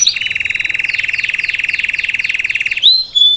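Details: Belgian salsa canary singing live to teach its offspring: a long low rolling trill with faint higher slurs, ending in a rising whistled note.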